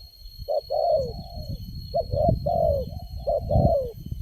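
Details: Spotted dove, the only wild bird calling at a site where decoy birds lure it, answering strongly: low, hollow coos in short phrases, a brief note followed by a longer drawn-out falling coo, repeated three times over a low rumbling background.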